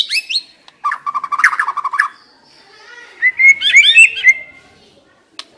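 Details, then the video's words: Captive White-rumped shama used as a decoy bird, singing a rich varied song: high sweet whistles, then a run of rapid chattering notes, a brief pause, and a burst of rising and falling fluty phrases. "Chòe lửa mồi hót cực hay"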